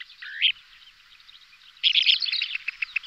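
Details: A pair of Kentish plovers calling in aerial display: an upward-sweeping note, a pause, then a burst of rapid sharp chirps trailing into spaced ticking notes.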